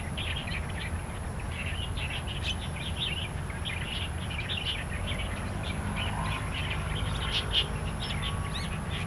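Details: Wild starlings in Taiwan, outdoors: a continuous chorus of many overlapping short chirps and whistled notes, with a steady low rumble of background noise throughout.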